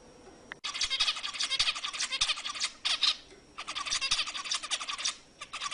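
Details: Zebra finch song played to stimulate females to mate: dense runs of buzzy, nasal, harmonic-rich notes in two long bursts separated by a short pause, with a faint steady whine in the background.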